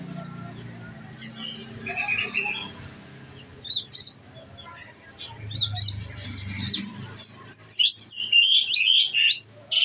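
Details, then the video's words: Caged olive-backed sunbird kept on nectar, singing in the rapid 'nembak' style. A quiet start with faint low hum gives way to dense bursts of high, sharp chirps and short trills that grow louder toward the end. "bunyi nembak nembak deh"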